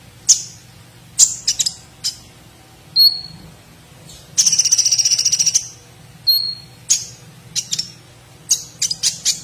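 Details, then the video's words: Olive-backed sunbird (kolibri ninja), a competition training bird in full voice, singing with 'platuk sampit' fill-in phrases: very high sharp chirps and thin whistles, with a fast buzzy rattling trill near the middle and scattered short twitters; a low steady hum throughout. "KONIN GAJOR ISIAN PLATUK SAMPIT"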